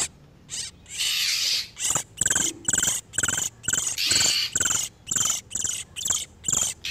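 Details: Lure recording of male and female oriental magpie-robins in breeding condition: two long harsh churring bursts, then rapid clipped scratchy notes repeated about twice a second.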